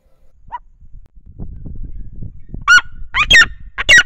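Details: Red-legged Seriema mother singing atop her nest, facing the camera, with a single chick a few days old beneath her; after a soft opening, three loud harsh yelping notes ring out in close succession.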